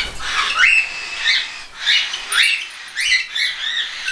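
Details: Hand-tame young cockatiels, part weaned and part still being fed, flying, 10 September 2012: harsh, rising, scratchy squawks come in quick succession, roughly every half second, over a constant background hiss.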